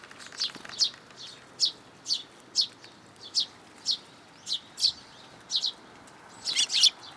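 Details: Young sparrow in a plum tree at a Tenmangu shrine on 1 June 2022, having come to be fed, gives short high chirps about every half second, steady and evenly spaced throughout.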